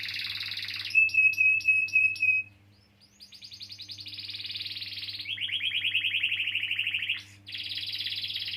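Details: Canary singing long rolls to stimulate young or silent canaries: a buzzy trill, a steady pure note broken by loud chips, a short pause, then gradually swelling rapid trills, a lower rolled series, and a final buzzy passage over a faint hum.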